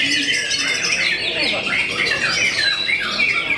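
A white-rumped shama pours out a dense, unbroken stream of high chattering, squawky and whistled notes, changing rapidly with no pauses.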